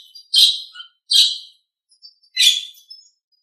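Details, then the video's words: Nias hill myna in a training master recording: three loud, harsh, rasping bursts about a second apart, with faint whistles between them. "Masteran Suara Jalak Nias"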